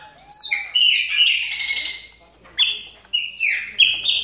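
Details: Chopi blackbirds warming up their calls during moult: loud, clear whistled notes with a buzzy edge in rising and falling phrases, a long opening burst, a brief lull, then several shorter bright phrases in quick succession.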